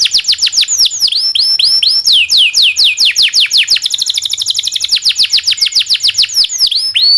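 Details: Domestic canary singing a long rolled training song: continuous fast descending whistled notes, a quicker buzzing trill section midway, then steady repeated falling notes.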